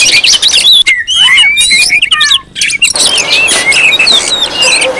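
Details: Rowdy Oriental magpie-robin calling intended to draw in and provoke other magpie-robins: warbled falling whistles mid-clip give way to a steady wash of overlapping high chirps.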